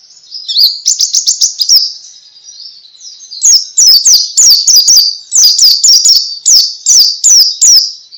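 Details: White-eye singing ngalas, a style played so other pleci answer: a rapid trill of high notes, a softer lull, then a long run of sharp, evenly spaced chirps.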